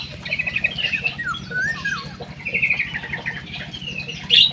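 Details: Munia song of high twittering notes, quick rattled trills and a few sliding whistles that dip and rise, several small birds chirping together over a constant low hum.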